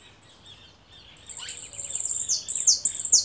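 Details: Caller goldfinch giving high, thin twittering calls that grow louder after a quiet start, with sustained ringing notes and quick downward-sweeping chirps in rapid succession over faint background hiss.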